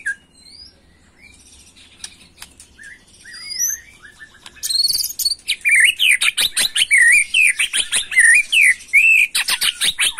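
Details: Agitated white-rumped shama song in the macul style: faint scattered whistles at first, then from about five seconds a loud, fast, steady series of sweeping whistled notes repeated several times a second.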